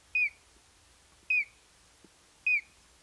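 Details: Collared crescentchest giving three brief, bright whistled notes, each dropping slightly in pitch, spaced just over a second apart; a faint low knock between the second and third.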